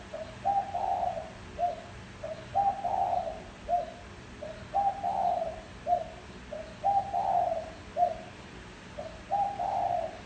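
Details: Decoy recording of a spotted dove calling to attract wild birds: soft, hollow coos in a steady three-part phrase, brief note, long swelling coo, short final note, repeated roughly every two seconds, five phrases, quiet hum behind.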